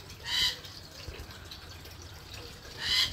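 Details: Wild rainbow lorikeet, a daily male visitor to a garden, curious near a fish tank, gives two harsh, shrill screeches about two and a half seconds apart over a steady hiss of bubbling aquarium water.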